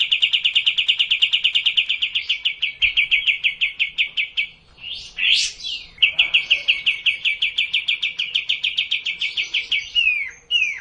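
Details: Sooty-headed bulbul singing as a lure for a lazy bird. Long runs of rapid, evenly spaced notes are interrupted midway by harsh, rising buzzy bursts. The chattering run resumes and closes with descending slurred notes.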